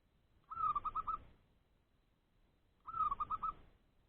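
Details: Caged zebra dove (local perkutut, merbuk) in a trap cage, cooing to seek out wild doves nearby as rivals: two soft, rolling phrases, each a longer note followed by four quick pulsing coos, about two seconds apart.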